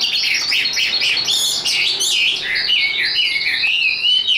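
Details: Tame, hand-trained caged Chinese hwamei singing high, kept for song contests: a fast, continuous run of loud whistled notes, many swooping up and down, with short trilled phrases and no pauses.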